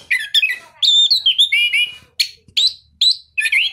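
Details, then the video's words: Captive ringed orange-headed thrush from a breeder in southern Malang, Indonesia, singing continuously in a crystal-clear voice: rapid run of sweet whistled notes and trills, some slurred downward, broken by brief pauses, with a few lower harmonic notes. "anis kembang gacor"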